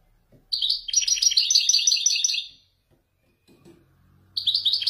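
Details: A male European goldfinch of the Wijdani type, Morocco, delivers a long, rapid, metallic twittering phrase in the authentic Marrakech descending style, pauses briefly, then resumes with more bright chattering notes; faint low background noise.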